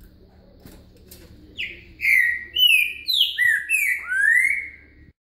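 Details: A green-winged saltator sings a "boca mole com virada" phrase for a singing lesson: after near silence, six or seven loud, sliding whistles follow quickly, ending with a drawn-out rising note.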